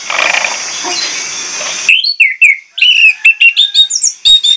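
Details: Orange-headed thrush singing a loud, insistent pancingan-style lure song, unloading its repertoire. After two seconds of hissing noise, rapid clear whistled notes and slurred, sliding phrases follow in quick bursts.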